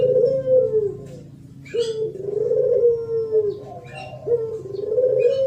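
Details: Thổ pháp style spotted dove song from 2023, used to stir up wild males and females: repeated low, rounded coos, each drawn out and gently wavering, separated by short pauses, with faint high chirps in the background.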